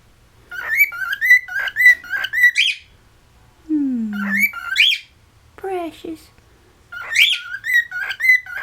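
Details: Cockatiel kept at home in West Newton, Pennsylvania, whistling fast repeated warbling notes in phrases with rising squeaks, broken by a person speaking and a short squawk.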